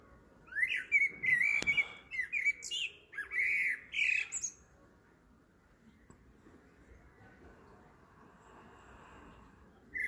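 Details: Blackbird singing in the evening at 7.30 pm: rich, fluting whistled phrases around the middle register, each ending in a high squeaky twitter, delivered in a burst over about four seconds, then quiet background.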